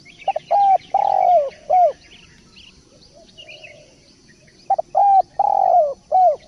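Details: Gacor spotted dove (tekukur) repeating its cooing phrase twice, a few stutter notes, a long sliding coo and a short closing coo each time. Small birds chirp faintly and thinly in the background.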